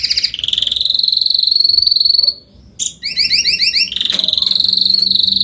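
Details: Spanish Timbrado canary, an adult, singing a sustained pulsed roll that stops briefly, then a clipped note, a fast two-toned trill of chevron-like notes, and a renewed steady metallic roll.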